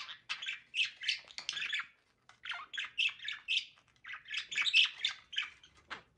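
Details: Budgerigars during mating, giving a busy chattering warble of short scratchy chirps and squawks in rapid bursts, with one brief pause near the two-second mark.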